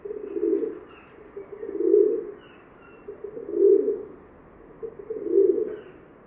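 A Rock Dove gives soft, low, throaty coos, swelling and fading roughly every two seconds, with a faint background hiss.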